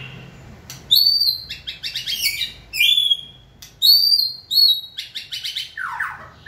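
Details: Trained White-rumped shama prompted to sing: loud, clear high whistles alternating with rapid chattering bursts, phrases repeated with short pauses.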